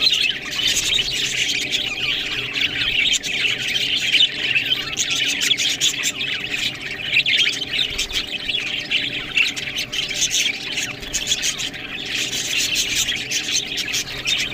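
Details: A group of budgies eating green food chatter continuously with harsh squawks mixed into rapid chirping and warbling. The sound stays unbroken and busy throughout, with a faint low hum underneath.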